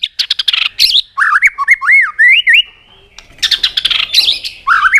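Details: Fighting song of a white-rumped shama trained for competition: sharp clicking chips, then rich looping whistles rising and falling in a continuous run, then more rapid chips and a final swooping whistle.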